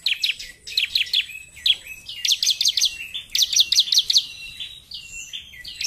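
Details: Bar-winged prinia in lively narung-style song, a continuous run of rapid high chirps grouped into fast rattling series of four or five notes, linked by short rising and falling slurs.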